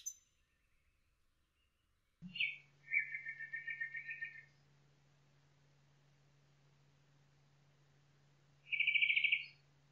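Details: Nightingale singing in a forest: a brief high note, then a buzzy chattering phrase of rapid repeated notes, a long pause, and a dense rattling trill near the end, over a steady low hum.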